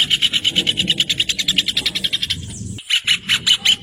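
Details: Rufous hornero song: loud, rapid, ringing notes repeated about eight times per second in a long steady run, which breaks off briefly and then resumes at the same fast pace.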